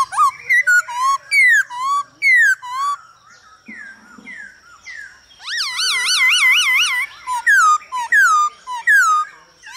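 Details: Singing and dancing male laughingthrush answered by female calls, a recording meant to stimulate cage birds: series of loud downslurred whistles about once a second, a quivering wavering whistled trill midway, then more falling whistles.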